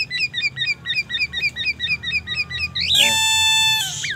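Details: A Black-naped oriole repeats quick, high, upslurred chirps about twice a second, then breaks into a loud, harsh, siren-like wail, mimicking white-rumped shama song and an ambulance siren.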